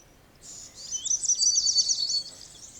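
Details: Indigo bunting song: a short burst of high, thin, rapid twittering notes lasting about two seconds after a brief quiet start, with faint background hiss.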